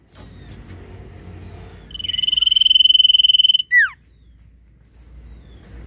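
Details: Sirtu singing: a rapid, even trill of high pulses for about two seconds, ending in two sharp downward-sliding whistles, over faint low background hum.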